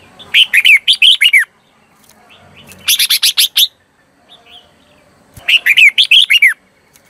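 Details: Red-whiskered bulbul decoy song used to lure wild birds, three bursts of rapid, slurred whistled phrases about a second each, bright rising and falling notes with pauses between.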